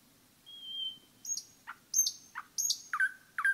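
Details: Forest-dwelling common nightingale: a clear drawn-out whistle followed by high clicks, short falling notes, and two louder down-slurred calls at the end, with a quiet background.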